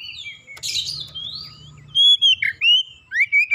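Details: Oriental magpie-robin lure song for goading another magpie-robin to sing; a scratchy, hissing note and soft low rumble open, then three loud, clear whistled phrases with sliding pitch.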